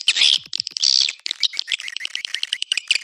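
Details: Lure sound for swiftlets, Anak Muda style: two loud buzzy trills with a thin whistled note inside, then a fast series of short high chirps, several each second.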